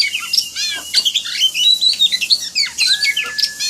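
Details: Oriental magpie-robin song with high emulsion, used as a training recording: a dense, varied run of sharp chirps, whistles and buzzy notes with a long steady whistle near the end.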